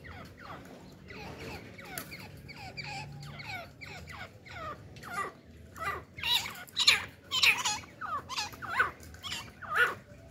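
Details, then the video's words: Partridge pair, male and female, with a female used for hunting, in an excited state; rapid harsh broadband call notes, growing louder and more squawky in the second half, with a low hum underneath. "تیتر جوڑا اور شکاری مادی مستی میں"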